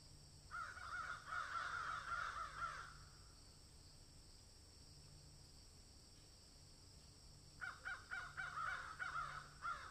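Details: Crow calling while eating food: a long harsh cawing burst for about two and a half seconds, a pause, then another run of rapid caws, over a steady low hum.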